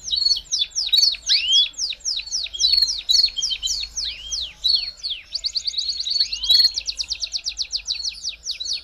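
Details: Belgian canary delivering a string of rhythmic downslurred notes roughly twice a second, then a faster rattling trill, played to warm up a canary; a faint low hum runs underneath.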